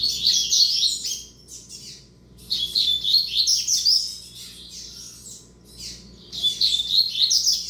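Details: A young male double-collared seedeater from a tournament line sings repeated phrases of fast chattering, buzzy high notes, pausing briefly between bursts, with a steady faint hum in the background.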